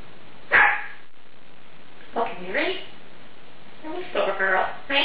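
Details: Congo African grey parrot, female, showing off words from her large vocabulary in a home; a sharp syllable, then a pause and several more clipped speech-like words in quick succession.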